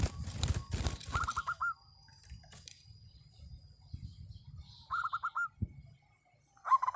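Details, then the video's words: Local zebra dove giving loud song: short runs of quick, even coo notes and a final stronger phrase. Heavy knocking and handling thumps nearly mask them at the start. "perkutut lokal gacor suara lantang"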